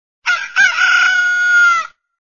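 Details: A rooster crows early at a farm: a single crow with a brief opening note, then a long, drawn-out, strained cry held steady for over a second, with no other sounds.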